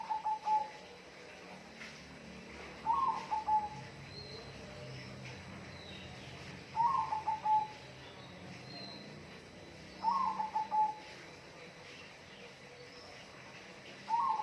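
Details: Repeated bird call: a brief whistled phrase of a rising note followed by rapid wavering notes ending on a steady tone. It comes five times at roughly three-second intervals against a hissing background.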